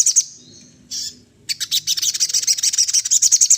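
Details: Sunda laughingthrush singing in imitation of other birds: a couple of sharp notes and a brief harsh burst, then a fast, steady series of bright high chirps repeated several times a second.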